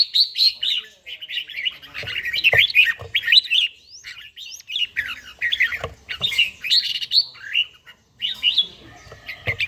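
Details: Red-whiskered bulbul, an older bird with a wild-type voice, in morning song practice: bursts of lively whistled, slurred phrases separated by short pauses, with a few thin upward-sweeping notes.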